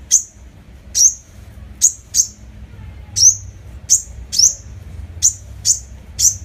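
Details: A sunbird's decoy lure call: very high, thin, sharp call notes, about eleven in six seconds at an uneven pace, over a faint low background hum.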